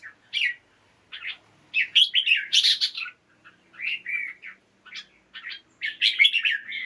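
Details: Caged red-whiskered bulbul singing in the morning, its song used to rouse other caged birds: short bright whistled and chattering phrases in bursts, some rising, others falling, separated by brief pauses over about seven seconds, with a quiet background.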